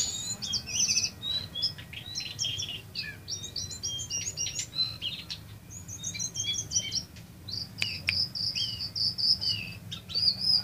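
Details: An actively singing jongkangan, recorded as a tutor song for a brown cingcoang, pours out a fast, high, varied song of sharp chirps and thin trills, about four notes a second, over a low steady hum.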